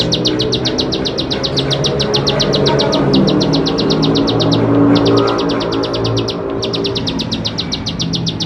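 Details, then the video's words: Bar-winged prinia singing as a lure so that young birds learn the song: fast trains of bright, clipped high notes repeated several times a second, broken by brief gaps near four and six seconds. A steady low droning fills the background. "Ciblek Sawah Gacor || Memancing Ciblek Sawah Paud Belajar Bunyi"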